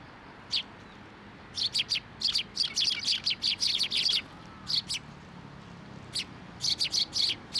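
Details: Sparrows gathering to be fed from a post at a Tenmangu shrine in October 2023; dense runs of rapid, high, clipped chirps, sometimes a dozen in quick succession, with brief pauses between bursts.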